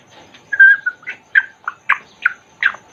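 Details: Congo grey parrot in a cage giving a string of short whistled chirps, a long steady note followed by about six quick rising and falling whistles spaced roughly every half second.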